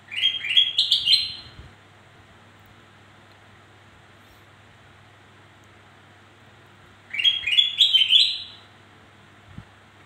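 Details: Black-crested bulbul song used to lure birds that rarely sing: two identical phrases of quick, rising whistled notes, each about one and a half seconds long and separated by roughly five seconds of near silence with a low hum.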